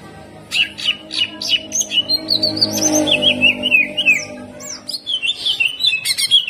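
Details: Greater green leafbird in full song, kept for song training: a quick, varied run of high whistles, chirps and rolling trills, with some low background noise.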